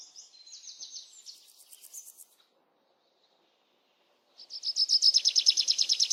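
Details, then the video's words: Birds chirping in a relaxing nature setting: high thin twittering notes for about two seconds, a pause of silence, then a loud fast run of rapidly repeated chirps. "Birds Chirping"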